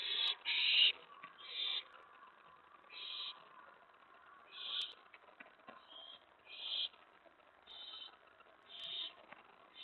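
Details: Nighttime prey delivery at an owl nest, May 15, 2017, late evening: loud rasping hiss-like begging bursts, roughly eight in ten seconds, each short and harsh, over a faint low hum.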